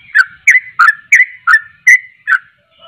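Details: Sooty-headed bulbul giving seven loud, clear whistled notes in under three seconds, each a quick bending slur, evenly spaced, then a short pause.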